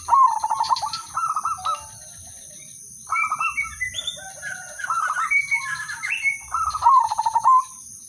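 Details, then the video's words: Zebra dove of the udanmas silver type, song meant to trigger other doves to sing; pulsing coo phrases at start and end, separated by a varied stretch of higher whistled and rising notes from other birds. "perkutut/merbok udanmas silver irama merdu spesialis pancingan bikin semua perkutut ikut manggung"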